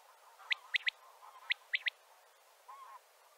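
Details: Male common quail calling to gather other quails: two crisp three-note phrases, a sharp first note followed by two quick ones, repeated about a second apart, over a soft low murmur.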